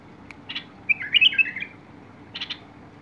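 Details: Bulbul recorded on 21 August 2022, giving a short warbled phrase of rising and falling notes, with a few brief chirps before and after against a low steady hum.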